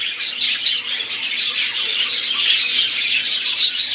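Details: Budgerigars singing in chorus, fast irregular chirps at about three per second merging into a constant scratchy, twittering warble.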